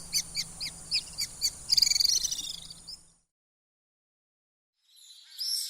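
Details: Common swift calls: spaced sharp high chips, then a short shrill trilled scream, a second of silence and a final brief high scream.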